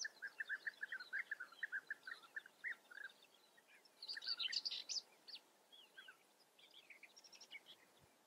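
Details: European bee-eaters in the Eifel, Germany, give quick, rolling, liquid 'prrip' notes about four per second, then a denser burst of overlapping higher calls from several birds.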